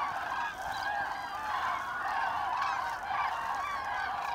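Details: A migrating flock of common cranes on autumn migration over Hesse, Germany, 25 October 2021, calls all at once, a dense, unbroken chorus of loud, rolling, trumpeting notes with no pauses between them.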